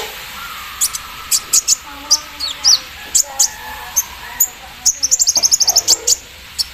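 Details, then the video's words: Kolibri ninja (Javan sunbird) in the morning dew: scattered high piercing chirps, then a fast rattling run of ticking notes like an embroidery machine near the end. "KOLIBRI NINJA GACOR KELUAR ISIAN MESIN BORDIR SAAT DI EMBUNKAN PAGI HARI"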